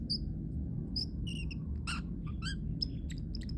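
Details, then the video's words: Cute sounds from a pet parrotlet: high thin whistles mixed with harsher, buzzy chattering notes and squeaks, irregularly spaced, above a droning low background hum. "parrotlet making cute sounds"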